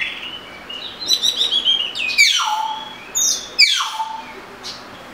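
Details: Oriental magpie-robin singing: high whistled notes and rapid trills, then two loud descending slurred phrases sweeping downward, with a short faint note near the end.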